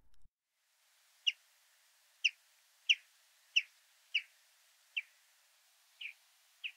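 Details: A Common chaffinch (Fringilla coelebs) gives its flight call, uttered only in flight: short, soft, mid-pitched 'jup' notes about once a second, eight in a row, against a quiet background.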